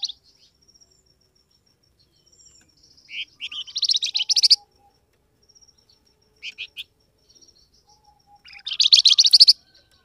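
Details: Flamboyan bird call played to make wild birds answer: two chattering, buzzy pulsed trills several seconds apart, each building from short chirps, with a brief pair of chirps between them and faint thin whistles.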